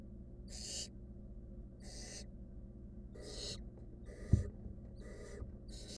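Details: Wild barn owl nestling eating a rodent inside a nest box: six breathy, hoarse hisses across six seconds, fairly evenly spaced, plus one sharp knock midway and a constant low hum.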